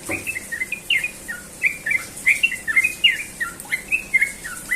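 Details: A Sooty-headed bulbul sings in the morning, a brisk string of liquid, bubbly whistled phrases that rise and drop, delivered about three per second without pause.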